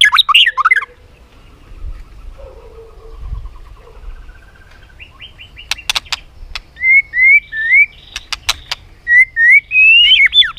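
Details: White-rumped shama during competitive singing: a brief warble, a long soft pause, sharp clicks, then several short clear whistled phrases rising and falling.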